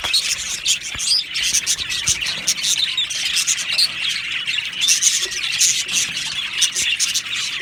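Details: Australian budgies in an aviary colony, many birds chattering at once: a steady wash of high scratchy chirps and squeaky notes, with a few brief low knocks beneath.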